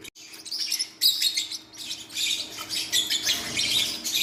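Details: Newborn baby Forpus parrotlets producing a continuous high, hissy chittering, many chick voices blending into a rasping wash with a few sharper squeaks standing out.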